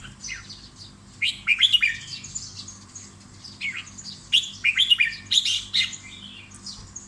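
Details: Caged red-whiskered bulbul singing loud, clear bursts of short whistled notes, rising and falling quickly, with a second phrase after a pause of about three seconds; fainter chirps from other birds in the background.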